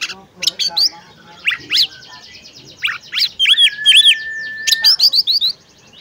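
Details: Caged-style recording of a female oriental magpie-robin calling a male to sing; busy mix of quick chirps and sweeps, bright paired notes, and one long steady whistle.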